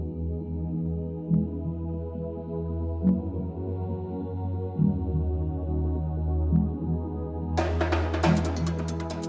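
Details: Steady drum-kit music with a deep bass beat, joined near the end by bright cymbal crashes; no animal heard.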